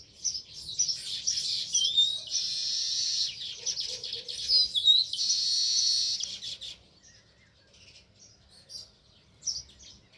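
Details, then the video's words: Sparrow chirping near its nest in a village setting: dense, bright high chirps and twittering, with two loud sustained bursts of rapid chatter in the first half, then fainter scattered chirps. "Natural Sparrow View | Chirping Sounds"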